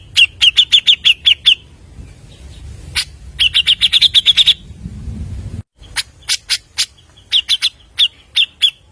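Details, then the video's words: Grey-cheeked bulbul lure song: bursts of fast bright chirping repeated several times, separated by brief quiet spells and a loud single click, ending with more spaced sharp chirps. "PANCINGAN BURUNG CUCAK JENGGOT GACOR FULL MBESET SPEED TANPA JEDA NEMBAK MEWAH"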